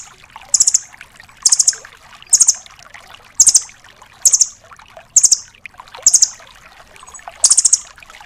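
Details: Red-billed velvet-fronted nuthatch, known locally as rambatan doraemon, kept for tutoring songbirds: short, very high rattling bursts repeated about once a second with faint trickling noise in between.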